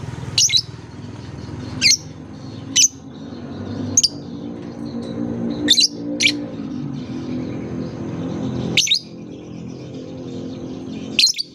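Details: Lovebird therapy sound for coaxing young birds that are just learning to sing. Isolated sharp, shrill chirps come every one to three seconds, about nine in all, over a noticeable low rumbling background noise.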